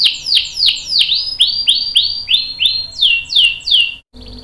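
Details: Canary's long singing roll, used to coax other canaries to sing: a series of about twelve loud descending whistled sweeps repeated roughly every third of a second, ending abruptly in a short cut.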